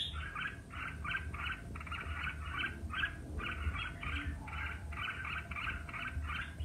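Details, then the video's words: Red-whiskered bulbul singing in competition style: a steady run of short, bright, warbled notes, about three or four a second, over a low background rumble. "Chào Mào Hót Đấu"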